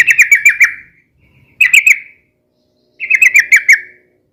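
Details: Yellow-vented bulbul singing a noisy, rapid and long style of song meant for luring and training other birds; three loud bubbly phrases, each a quick string of four to six rolling notes, with clear gaps between.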